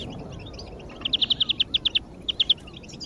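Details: European greenfinch song as a lure for other birds: a quick run of about eight bright, evenly spaced notes followed by a short three-note phrase, over steady background hiss.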